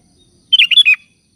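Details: Sooty-headed bulbul in lively 'gacor' form calling companions: a rapid, bright cluster of four throaty whistled notes, bubbling and slightly descending, delivered in under half a second with a clean, silent background.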